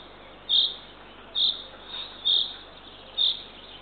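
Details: Eurasian eagle-owl young fed by the female on camera in Northern Estonia at dawn, 3 June 2023; rough hissing bursts about every 0.9 seconds, one softer between them.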